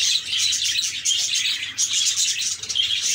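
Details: Rapid, overlapping chirps from several happy budgerigars form a bright, busy warble, the squeaky notes tumbling irregularly over one another.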